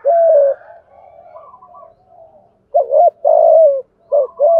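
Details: Spotted dove thúc gù cooing in the thổ voice used for stirring decoys: a long coo trailing into faint softer notes, then after a pause two loud pairs of short and drawn-out hoots.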